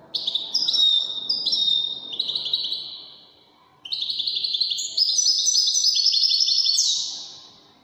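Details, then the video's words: European goldfinch, Moroccan wedani song style: stepwise descending twittered phrases, a short pause, then a long, dense trill that climbs higher and ends in a bright, downward-sweeping note. "الحسون الويداني الملك الذي يستحق استماع وتمتع في ادائه في التغاريد الويدانية المغربية"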